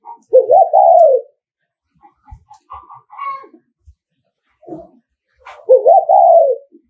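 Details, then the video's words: Nghệ An spotted dove, a decoy bird, cooing in the thúc gù style meant to excite rival males: two strong, stuttering low coo phrases that rise then sag downward, with quiet chirps between. "Tiếng Chim Cu Gáy Thúc Gù"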